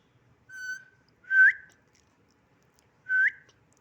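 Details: Pet parakeet whistling on request indoors: a flat whistled note, then two short whistles that rise sharply at the end, well spaced, with a person coaxing it nearby.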